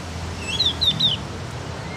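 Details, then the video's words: Practice song of a Javan Grey-throated White-eye learning to sing: three thin, high whistled notes, each sliding downward, follow one another quickly within a second, with a faint low hum beneath. "OPIOR JAWA atau CUCAK GENTONG BLAJAR BUNYI"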